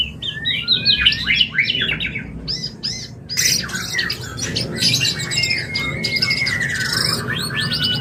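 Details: White-rumped shama mating sound, used to bring a bird into breeding condition: rapid varied whistled phrases and chattery notes, then a long thin descending whistle, with clicks and sharp bursts throughout.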